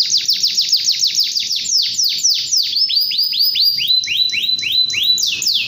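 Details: Canary singing energetically in 'gacor' style: a long series of quick downward-sweeping whistled notes, roughly three to four per second, pitch steps lower partway through, then rises again at the end.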